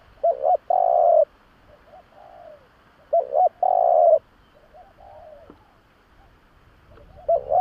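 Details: Spotted dove lure call for attracting doves: phrases of two short hooked notes and a long, flat, husky coo, repeated about every three seconds, with softer coos between phrases.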